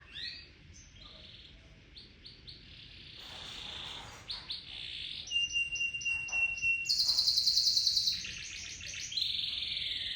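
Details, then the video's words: Local canary singing a long roll used as a lure for other birds; quiet, high-pitched varied twittering builds into louder buzzy trills and sharp rapid rolls, with some background hiss. "Kenari Lokal Super Nge-roll nya tembus 1 Menit up"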